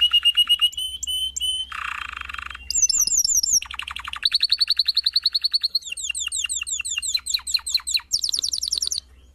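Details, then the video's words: Canary singing a varied sequence: whistled pips, a buzzy low roll, then fast trills and rapid repeated swept notes, several tours of one to two seconds each, in a quiet setting. "Chant Canari CD 2016- اسطوانة تغريد كناري جاهزكاملة"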